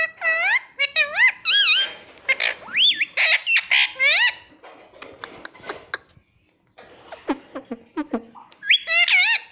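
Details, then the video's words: Pet Indian ringneck parrot, a talking bird, giving a loud run of whistled, warbling syllables with steep rising and falling sweeps, bursts packed densely with a short pause midway. "मम्मी पापा बोलने वाला तोता"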